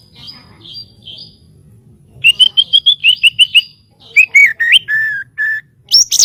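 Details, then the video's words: White-rumped shama song used for training birds: soft high whistles, then a rapid series of about eight identical clear notes, followed by lower slurred whistles and a sharp high ending. "SUARA BURUNG MURAIBATU"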